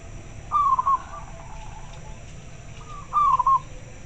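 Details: Zebra dove of the local type responding to another bird: two soft, distant rolling coos with a brief stutter, about two and a half seconds apart, over quiet background hiss.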